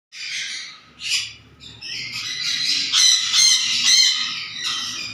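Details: Black-capped conure giving a run of harsh, raspy squawks, short bursts repeated rapidly and then merging into a longer grating, buzzy stretch of screeching.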